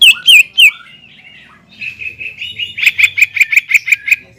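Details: A greater green leafbird singing hard to provoke a rival leafbird. Three loud slurred notes lead into soft warbling, then a rapid, even series of about ten ringing notes.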